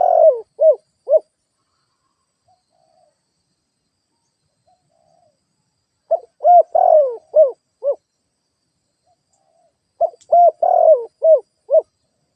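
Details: Spotted dove kept as a lure bird, repeating its deep, soft cooing phrase three times at intervals of roughly four to five seconds. Each phrase is a quick string of rounded notes, with quiet between phrases.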